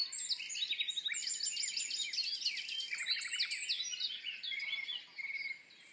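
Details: Dawn chorus at Woods Mill with a common nightingale to the fore, unseen: quick runs of varied whistled phrases, then buzzing rattles of rapidly repeated notes near the middle and end, with other birds singing steadily behind.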